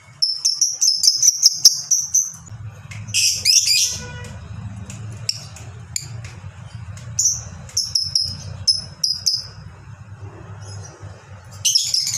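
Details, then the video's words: Fighter lovebird in long 'ngekek' chatter, from a master recording for training birds: fast series of high sharp chirps, a harsh squealing outburst, then more spaced shrill chips over a steady low hum. "masteran burung lovebird ini bisa membuat lovebird manapun ikut bunyi"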